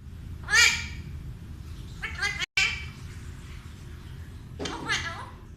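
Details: A pet Alexandrine parrot, also called Indian ringneck, talks in three short, harmonic, voice-like phrases spaced about two seconds apart, over a steady low background hum.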